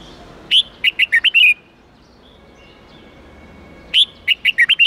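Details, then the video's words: Red-whiskered bulbul giving an 8-9-10 note wild-standard style song for teaching young birds: two bright, rapid phrases of about six clear whistled notes each, separated by a pause of over two seconds. "Luyện Chào Mào Hót Giọng 8-9-10 Ép Chim Non Học Giọng Chuẩn Rừng"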